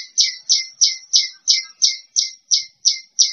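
A bush lark repeats a harsh, high chirp about three times a second. Each note ends in a lower, short whistled tail. No other sounds are heard.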